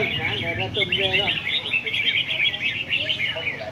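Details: Several caged red-whiskered bulbuls at a singing competition on a display rack pour out dense, bright, twittering high phrases almost without pause; a man's voice speaks briefly at the start.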